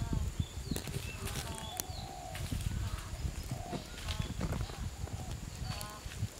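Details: Green peafowl in Thailand, seen during the peafowl-counting season at Ban Rong Hat, Chun district, Phayao, where about 70 birds gather in the afternoon toward dusk: several harmonic honking calls repeated from different birds over low rumbling wind and ground noise.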